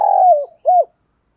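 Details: A single drawn-out, falling coo ending in a short rounded note, sung loudly by a decoy spotted dove meant to lure wild doves.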